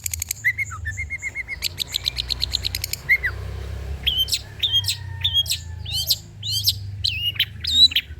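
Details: Long-tailed shrike song, used as a lure and tutor recording: lower whistled phrases and rapid chips, a brief lull, then sharp chirps alternating with short whistled notes.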